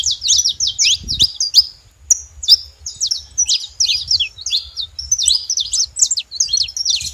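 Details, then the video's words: Saffron finch singing free in the wild: rapid series of sharp, high chirped notes and short slurred phrases, delivered in quick bursts with brief pauses, with faint low background rumble. "canário da terra livre na natureza"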